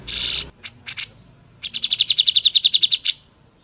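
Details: Grey-cheeked bulbul master song for training: a loud harsh rasp and two short bursts, then a steady rapid trill of about sixteen clear notes lasting a second and a half.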